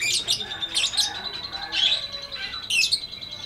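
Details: Lovebird performing its drawn-out 'ngekek' chattering song, grating high chirps in clusters with brief gaps, over a constant thin whine and quiet background.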